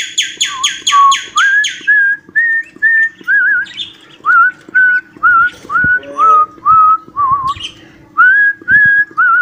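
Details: Cockatiel whistling a copy of "Johny Johny Yes Papa": a quick harsh stuttering call, then a long even series of short wavering whistled notes, about two a second, rising and dipping with the melody.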